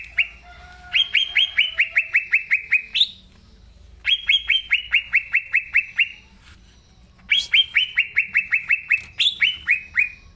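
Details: Green leafbird in full vigorous song: three long phrases of a dozen or more rapid, loud descending chirps each, every phrase ending in a higher note, separated by quiet gaps of about a second.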